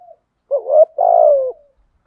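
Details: Spotted dove calls, male and female, used to stimulate caged birds to sing during training; a short note then two soft, low hollow coos, the second longer and slightly falling, in clean silence.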